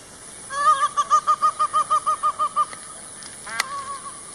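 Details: Peacock wandering in a forest, giving a rapid run of about twelve short, nasal, evenly spaced honks over two seconds, then a pause and one more brief honk with a sharp click, over a steady high background hiss.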